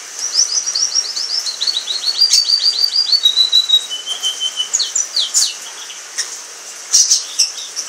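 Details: Orange frost canary, one of a pair, singing a series of rapid repeated chirp trills that slow into a long whistled note, then short sharp chirps.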